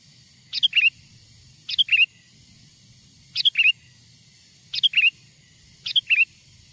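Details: Sooty-headed bulbul singing vigorously, used as a lure call to draw wild bulbuls closer: five short bubbly phrases, each a quick sharp note dropping into two liquid whistled notes, repeated about every 1.2 seconds over a faint low rumble.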